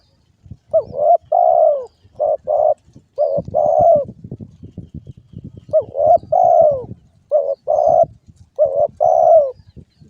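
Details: Spotted dove (derkuku) giving a run of rising-then-falling coo phrases, several in a row, over steady rustling and knocking handling noise.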